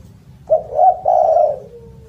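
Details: Spotted dove calling loudly and melodiously: a sharp short coo, a rising arched note, then a long level note sliding into a fading low tail.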